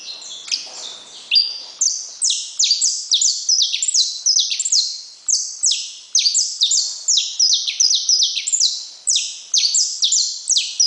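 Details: Saffron finch, a bird bred from named parents, singing a fast unbroken run of bright high notes, each a quick downward-sweeping chip repeated several times per second without pause, clean with no other sounds.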